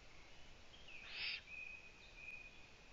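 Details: A young owl in a nest whose female has stayed away for two days gives one loud, breathy screech-hiss lasting about half a second, followed by a thin steady tone.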